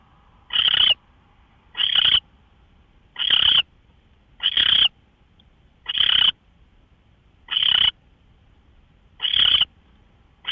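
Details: An owl on a live nest camera, March 24, 2013, 5:27 AM; dry, rasping hisses of under half a second, spaced about every one and a half seconds against near silence.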